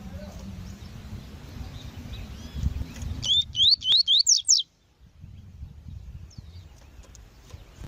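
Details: Female Double-collared Seedeater calling, used to pair and warm up males: a quick series of seven high, clear, upslurred whistled notes over about a second, set against faint background birds and low rumble.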